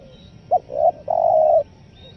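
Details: Single phrase from a spotted dove in the 'nekan nguku selang gagap' style, used to lure wild forest doves: one short coo, a rising note, then a long even low coo.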